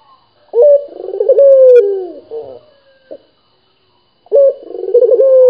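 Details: Local dove, noted for calling often, gives two deep rolling coos separated by a pause of almost four seconds. Each starts with a crisp attack and then trembles downward, with a short soft note after the first.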